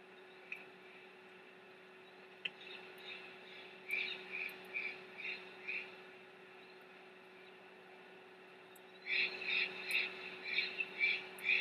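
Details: Restless bald eagle chicks calling in their nest at Big Bear while the mother tries to rest: short sets of high, clipped peeps repeated about twice a second, a pause, then a louder, faster run, over a low steady hum.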